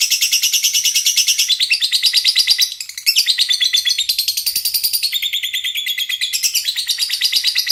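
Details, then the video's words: Lovebird singing continuously in a rapid buzzy chatter, high repeated notes with a brief drop near the middle before the rattling resumes. "burung Lovebird paling keren dan gacor"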